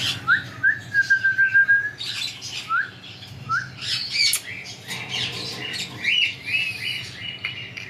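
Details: Talking parrot opens with short rising whistles and a sustained flat whistled note, then breaks into a run of harsh squawks and chattering, speech-like calls in a small indoor room.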